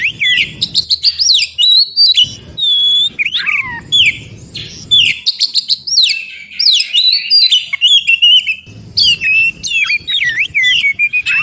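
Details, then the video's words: White-rumped shama, wild forest recording used as therapy for shamas that stop singing: vigorous song of rapid whistled sweeps and squeaky chattering phrases delivered in dense bursts, with brief quiet gaps. "Terapi Kacer macet bunyi.kacer mana pun langsung Respon Degar suara Kacer yg 1 ini SUARA ASLI HUTAN"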